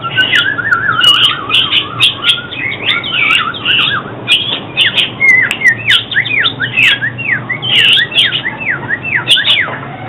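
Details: Oriental magpie-robin song for trapping and song-training use, dense and lively: wavering warbled runs early, then a long series of rapid sweeping whistled notes and clicks repeated steadily to the end.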